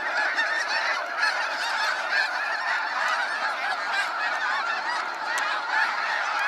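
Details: Loud massed honking of snow geese during a sunset fly-out at Sacramento National Wildlife Refuge, many birds calling at once in a thick, rough, continuous din with occasional sharper yelps standing out.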